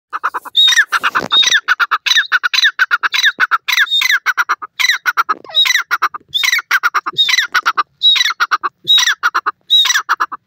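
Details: Grey francolin, known locally as teetar, calling loudly: harsh, squawking phrases with a clipped high note, repeated in quick bursts of about one per second throughout, with a quiet background.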